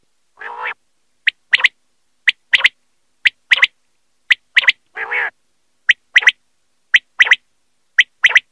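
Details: Male and female common quail, played as a hunting lure. The male gives a sharp, liquid three-note 'whit, wit-wit' about once a second, with two lower, rougher calls mixed in, likely the female's.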